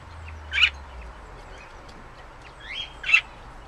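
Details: A budgerigar in a garden aviary on a summer's evening gives two brief, bright chirps a few seconds apart over a quiet background.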